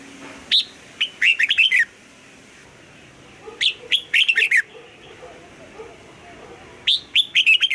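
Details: Voice-training song of a red-whiskered bulbul, double-note old-forest style, sung in the morning: three bursts of bright warbled phrases, each opening with a rising whistle followed by a quick jumble of bouncing notes, spaced a few seconds apart.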